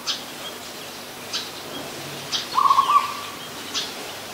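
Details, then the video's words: Adult zebra dove in Ubon Ratchathani, Thailand, recorded 24 December 2020: one short burst of rapid, staccato, purring trill notes at a single pitch, with faint chirps from other birds and soft background hiss. "นกเขาชวา (Zebra Dove)"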